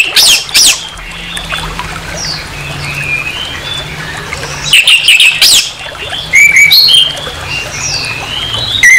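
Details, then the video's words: Orange-headed thrush giving harsh song meant to provoke another of its kind. Loud scratchy bursts open, then varied warbled whistles. Strong rough outbursts near the middle, followed by clear upslurred notes, with a low hum beneath. "SUARA KASAR ANIS MERAH, PANCINGAN NAIKAN EMOSI ANIS MERAH"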